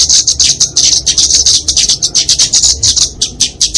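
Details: High-pitched fighting song of a flowerpecker, kept for tutoring and luring songbirds: quick pulsing series of sharp, squeaky notes that rise and fall in short, rapid waves.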